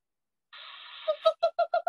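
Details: A Western Screech-Owl gives the call heard at night: short, low hollow hoots that come faster and faster, like a bouncing ball, over a faint steady hum from a small room.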